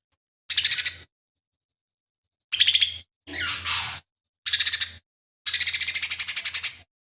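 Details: Songful lesser green leafbird with imitations of fighting sparrow, buto kingfisher and cililin, recorded as a tutor for other birds; separate short bursts of clipped chattering notes and a scratchy rasp, closing with a longer rapid trill.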